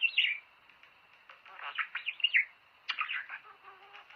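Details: Budgerigar warble used to stimulate breeding: bright squeaky whistles, then soft buzzy chatter with scattered clicks, and a second burst of rasping, twittering notes.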